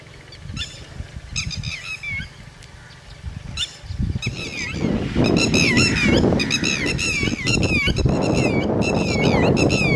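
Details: Red-wattled lapwing (titeri) with chicks: after a quieter start, loud, sharp, downward-slurred notes come in quick repeated series, building in density over the second half, over steady low rumbling wind noise.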